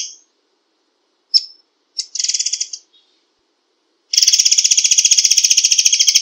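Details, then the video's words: White-rumped shama with 'tembakan rapat' rapid-fire singing: scattered sharp chips and short buzzy rattles, then a sustained, fast, mechanical-sounding trill of repeated high notes. "SUARA ASLI BURUNG MURAI AIR TEMBAKAN RAPAT"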